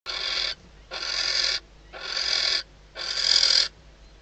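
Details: Nesting female barn owl, Ebro Delta reserve, at night days before hatching, calling when the male arrives at the outside perch, just before they mate: four long, rasping hiss-screeches separated by short silences.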